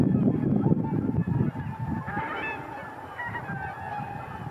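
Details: Flock of cackling geese lifting off: loud rumbling wing noise at first, then clearer, higher yelping honks over a fading low roar as the birds move away.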